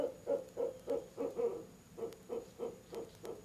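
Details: Evening hoot fest of a barred owl and its mate at a nest box in mid-October: clear low hoots pulsing about three per second, loud and rhythmic, with a short gap midway.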